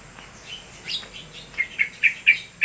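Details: Yellow-vented bulbul singing very actively: soft slurred notes at first, then a run of short, bright, sharp chirps that grow louder, about five accented notes in the last second.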